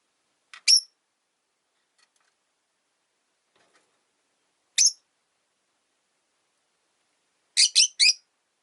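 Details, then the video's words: Rosy-faced lovebirds, three kept together in one window-side cage where the original bird dislikes a newcomer, giving three sharp high chirps: one early, one midway, then a quick triple burst near the end, with silence between. "Lovebird Chirping Sounds"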